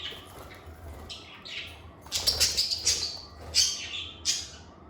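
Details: Lovebirds calling with cheerful chirps and soft whistles: bright, high, clipped notes cluster in the second half, several in quick succession, with a faint low hum underneath.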